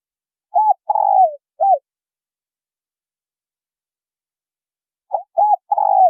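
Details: Male and female spotted doves calling to stir up newly caught birds. Two mellow coo phrases about four and a half seconds apart, each a brief note, an arched coo, a long rolling descending coo and a closing arched note.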